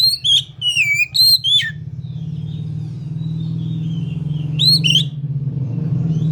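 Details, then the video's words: Oriental magpie-robin delivering quick whistled slurred notes, rising and falling, then a pause and one more short burst, over a persistent low droning hum. "kacer kalian pasti langsung bunyi"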